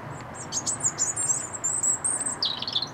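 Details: European robin in song at RSPB Rainham Marshes, 8 October 2016; a fast, fluid stream of shrill high whistles and jangling trills, ending in a lower, dropping slurred phrase, with faint low-pitched background noise.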